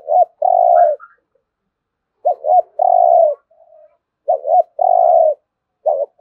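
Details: Spotted dove cooing thúc gù style: low doubled hoots each followed by a long level coo, three full phrases with a faint higher note near the start.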